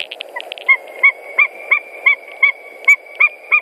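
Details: White-tailed eagles at their nest in Latvia on 21 March 2018, bringing hay shortly before a brief mating; a rapid series of sharp, yelping notes repeated about three times a second, steady in pitch, over a low background hum.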